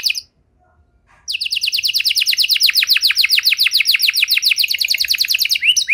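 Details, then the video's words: Canary singing to stimulate other canaries: a short trill, a pause of about a second, then a long series of rapid descending whistled syllables, steady and rhythmic, closing with a rising note. "Kenari Gacor Durasi Panjang Cengkok Istimewa! Efektif Buat Memancing Kenari Macet Biar Gacor Kembali"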